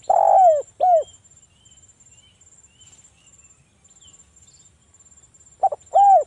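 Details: Local spotted dove singing loudly to lure other doves into calling: a phrase ends with a long coo and a curved note, a quiet stretch with a few faint high chirps follows, then a new phrase begins.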